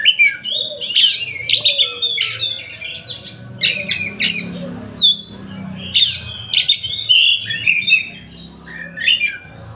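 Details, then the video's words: Oriental magpie-robin from Tasik giving energetic song: harsh rasping bursts and squeaky whistles in quick succession, mixed with faint low background noise. "Kacer Tasik Muni"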